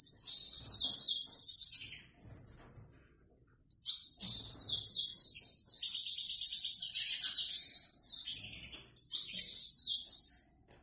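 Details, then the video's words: Grey-headed goldfinch singing a simple-style song: long bursts of rapid high twittering and tinkling trills, a brief pause, then more dense chattering phrases. "Седоголовый щегол ,простяк."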